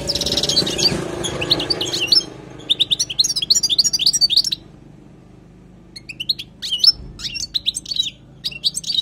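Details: Wild European goldfinch singing as tutoring material. After a noisy start come lively bursts of twittering, tinkling notes, then a brief pause, then more quick chirps and upward-flicked whistles.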